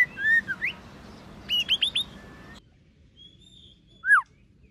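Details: White-rumped shama in many-voiced competition singing: a rising-and-falling whistled phrase, then a burst of four quick upward-sweeping whistles, a pause, and one loud falling whistle near the end, over faint background hiss.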